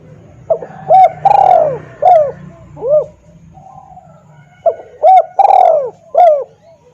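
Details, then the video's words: Spotted dove lure call, loud and clear, used to attract wild doves: two bursts of low hollow coos, each a quick series of four or five rounded, slightly falling notes, separated by a short pause, with faint low hum beneath. "suara pikat tekukur||suara keras dan jernih"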